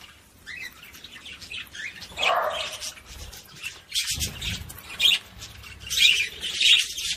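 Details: Budgerigar chattering, said to stimulate females to mate: high scratchy chirps and squawks, a lower nasal note near the start, louder squeaky bursts toward the end.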